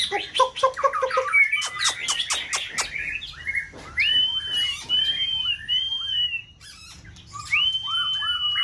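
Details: White-rumped shama in peak season, caged for song competition, singing to provoke a rival. It opens with rapid stuttering notes, then gives long, clear, level whistles, each followed by short falling slurs and with brief pauses between.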